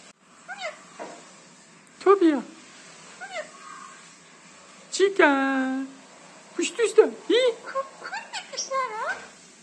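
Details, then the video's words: A two-year-old talking myna that speaks most words and sentences it was taught gives short, speech-like phrases in bursts, with one long, drawn-out tonal word midway, in a quiet room. "مرغ مینا سخنگو"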